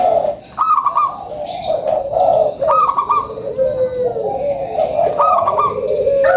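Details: Zebra dove of a local strain singing a lure song: repeated rolling coo phrases, each opening with a higher note and then sliding down, about every two seconds, with faint background chirps.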